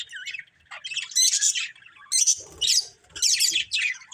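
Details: Several colourful pet budgerigars kept as a family group, chirping in bursts of dense, buzzy, high warbling chatter with short rasping squawks, pausing briefly between outbursts.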